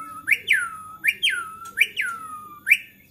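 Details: White-rumped shama, agitated song said to provoke other shamas into singing: repeated loud whistled notes that sweep down, each phrase about every 0.7 seconds, with rich overtones.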